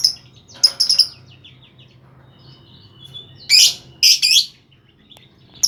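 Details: Lovebird vocalising, used to coax other lovebirds into singing: a cluster of shrill chirps, a quiet stretch with faint whistles, then two loud harsh squawking bursts.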